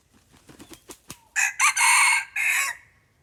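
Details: Red junglefowl, lured with a decoy bird, heard first as a series of soft low clucks, then a loud harsh crow in several broken, rasping segments rising and holding before cutting off; quiet outdoor background.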